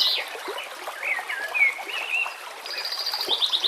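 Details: White-rumped shama song prepared as a training track for caged birds, with nature sounds and trickling water: varied slurred whistles rising and falling, then a fast high trill of repeated notes near the end.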